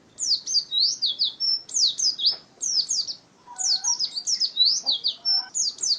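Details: Caged white-eye (pleci) of the contest-bird kind singing: bursts of very high, rapid, down-slurred chirps in jumbled phrases with short pauses, plus a few faint lower whistled notes in the background.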